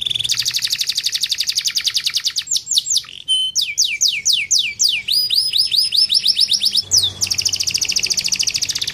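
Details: Masteran canary singing in a fine cengkok style meant to make other birds sing: fast high buzzy trills, then a run of steep downward-sweeping whistled notes and chirps, ending in another rapid rolling trill.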